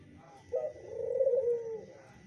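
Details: A zebra dove gives one low, softly rolling coo lasting just over a second, with a faint steady hum in the background; the dove is reportedly responding to a yellow bird's lure call.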